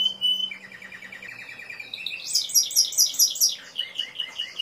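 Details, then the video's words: Timbrado canary song: a clear whistled note, then rapid low trills around mid pitch, shifting into a fast bright high rattle of repeated notes and ending in descending chirped phrases. "تسجيل طائر كناري تمبرادو#timbrado_canary_song"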